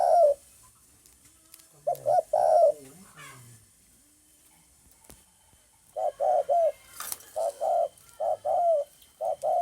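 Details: Low mellow cooing of a spotted dove, a phrase at the start then a quiet gap of several seconds, followed by a run of short hooting notes in quick succession; a brief click and faint hiss behind.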